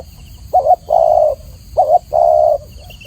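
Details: Spotted dove in a clear training recording: two mellow phrases, each a wavering short coo leading into a long low sustained coo.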